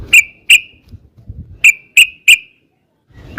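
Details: Yellow-vented bulbul lure song: a handful of sharp, bright whistled notes, spaced unevenly, with faint low rustling between them.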